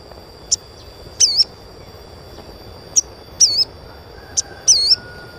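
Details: Training chirps of an Asian pied starling for young birds: brief sharp high notes alternating with short curled, wavering whistles in pairs, repeated about every one and a half seconds against a constant thin whine.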